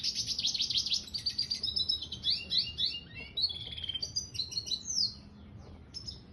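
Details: Energetic song of a red siskin mule hybrid finch: fast high twittering and buzzy trills, then a run of sharp sweeping whistled notes and chips, sung continuously over a quiet background.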